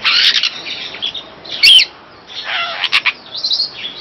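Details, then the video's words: Superb starling used as a master song bird: a rambling, chattering song of rapid squeaky notes, buzzy trills and sharp whistles, with bursts coming every second or so. "Burung Master Jalak Afrika Superb Starling"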